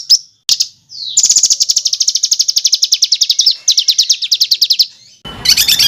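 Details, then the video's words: Fighter-bird tutor song with dense rough rolls: brief slurred whistles, then a long, fast, buzzy trill of closely packed high notes, ending in a short noisy burst after a pause. "ROLL RAPAT KASARAN || TEMBAKAN Kasar Untuk BURUNG FIGHTER"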